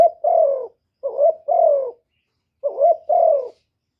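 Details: Spotted dove calling and cooing: three mellow two-part phrases, a brief wavering note then a drawn-out coo sliding downward, with a longer pause before the last phrase.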